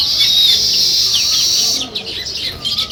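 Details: Village sparrows chirp in the morning, with a dense high chorus that breaks into separate quick chirps, alongside faint low cooing.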